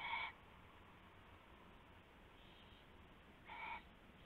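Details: Owl calling before dawn on 19 February 2016 as rabbit prey is passed: two short rasping bursts about three seconds apart, with quiet hiss between them.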